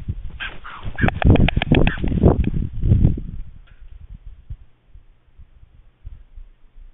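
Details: White stork on the nest at Jaczno, 23 April 2021, as a second female attacks in the evening: a burst of fast, hard rattling pulses with scuffling noise for about three seconds, then quieter low rumbling.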